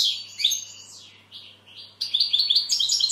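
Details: European goldfinch singing: a bright burst of high tinkling chirps, then a quieter stretch of thin, falling, slurred notes, before lively twittering resumes over a faint steady low hum.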